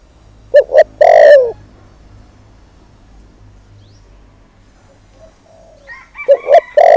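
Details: One spotted dove lure phrase used to provoke males, two short coos and a long sinking croon, followed by several seconds of near silence and the start of another phrase at the end.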